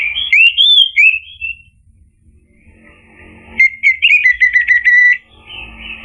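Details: Orange-headed thrush singing, used as a lure to make a bird respond and sing fully: clear looping whistled notes, a pause, then a fast run of sweet, slightly descending whistled trills.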